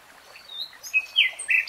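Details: Common nightingale singing short sweet phrases: thin high notes, then a couple of loud slurred whistles dropping in pitch, delivered rapidly one after another.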